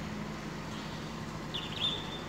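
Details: Club-winged manakin (Machaeropterus deliciosus) of Andean cloud forest: a couple of quick ticks, then a brief, high, ringing, violin-like tone made by flipping its wings to call a mate, over a steady low hum.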